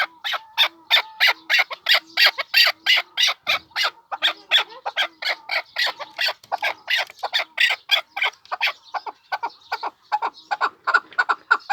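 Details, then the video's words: A long, excited volley of chukar partridge calls from Pamir: rapid, rasping chucks tumbling out more than three per second, bright and harsh, easing slightly in intensity near the close. "Кабки Помир"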